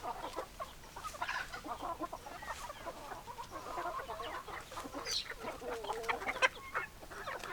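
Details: Chickens, hens clucking in a flock, with dense overlapping short clucks and cackles in the mid range, many birds calling at once with no clear gaps, a busy farmyard chorus.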